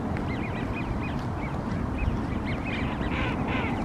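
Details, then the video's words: Wigeon at Green Lake giving clear whistled calls, each a quick rising-then-falling note, repeated several times a second toward the end. A constant heavy low-pitched roar runs underneath. "Wigeon calls, Green Lake"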